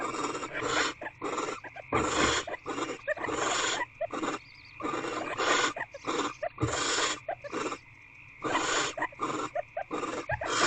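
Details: Barn owl inside a nest box where eggs are being incubated, 2/6/24 at 11:32 pm, with prey just delivered: a long run of rough, broadband hisses, some short and some drawn out, with brief clicks between them and a constant background hum.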